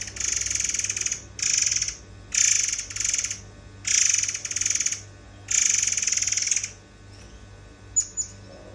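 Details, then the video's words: White-browed fantail song used as a training recording for other songbirds: dense, rapid bursts of high chattering and buzzy trilled notes in phrases of about half a second to a second, with short gaps between, then two thin sharp chips. "burung murai air, salah satu masteran yang harus kalian punya nih"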